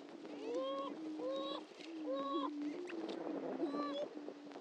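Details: Displaying greater prairie-chickens at the historic Dunn Ranch Prairie lek in Hatfield, Missouri, repeat loud, rich, rising whoops about once a second over a continuous low droning hum from other males.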